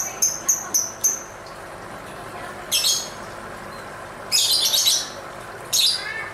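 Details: Lovebird singing while dancing: a quick run of four sharp chirps, then longer, rough, buzzy squawking bursts and a final harsh call.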